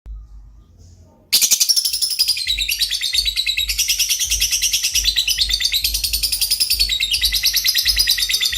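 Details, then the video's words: Lovebird singing in a fast, continuous chattering trill after a quiet first second, rapid pulsed notes repeated about three times per second, shifting between high squeaky and buzzy phrases. "burung Lovebird paling keren dan gacor"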